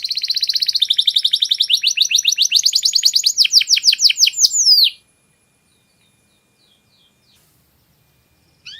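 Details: Clear-voiced canary giving master song: a high, fast trill whose notes lengthen and slow into distinct downward strokes. The trill stops abruptly after about five seconds, followed by silence and a brief note at the end.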